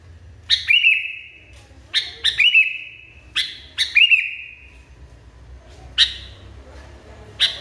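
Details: Furiously agitated sooty-headed bulbul giving repeated phrases, each a sharp chirp with a stretched, level whistled tail, about every one to two seconds, then lone chirps; quiet low background.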